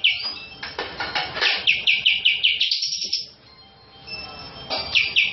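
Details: Cream-vented bulbul, known locally as cucak jenggot, a national champion singer recorded as a lure track: rapid series of bright, high repeated notes, rising in intensity, then a pause and a brief renewed burst.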